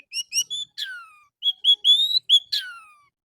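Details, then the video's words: Orange-headed thrush song used as a morning lure to make captive birds sing: clear whistled phrases around mid-high pitch, some falling slurs, delivered in short bursts with brief pauses. "PANCINGAN ANIS MERAH DI PAGI HARI AMPUH BIKIN IKUT BUNYI!!!"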